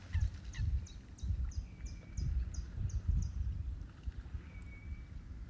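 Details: Black-winged stilt at Hania's Polder in the Nieuwe Dordtse Biesbosch: a quick series of sharp, high, slightly descending yelping notes, roughly three a second, over a steady low rumbling background.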